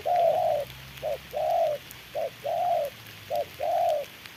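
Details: Spotted dove decoy bird used in trapping, confronting a wild bird in the rain: a short coo followed by a longer, slightly arched coo, the paired phrase repeated four times at steady intervals.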